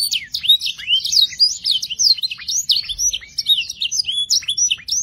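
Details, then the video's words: Canary song played to stimulate breeding mood and teach young canaries to sing quickly with rich varied phrases: a dense, fast stream of high chirps, sweeping whistles and short twittering notes, continuous without pause. "RANGSANG BIRAHI DAN ISI VARIASI LAGU KENARI PAUD CEPAT GACOR ISIAN MEWAH"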